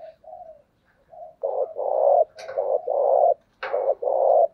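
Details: Spotted dove used as a lure bird to provoke wild doves into answering, in Vietnam; low hollow coos, a soft opening phrase followed by three loud drawn-out coo notes around 1.5 to 4.5 seconds.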